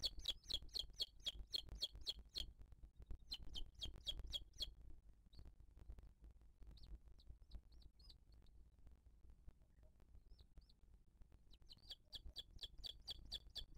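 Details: Booted eagle at its nest in 2023, female feeding her chick, filmed by a live nest camera: bursts of rapid, sharp, high chirps repeated several times a second, separated by a quieter stretch of scattered short notes, with low rumbling in the background.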